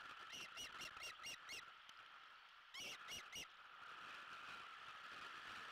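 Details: Two osprey chicks, 49 and 46 days post-hatch, at a Savannah nest on 1 June 2021 while learning to self-feed on a fish delivered by the male, giving six sharp chirping whistles, then three more after a pause, over wind hiss.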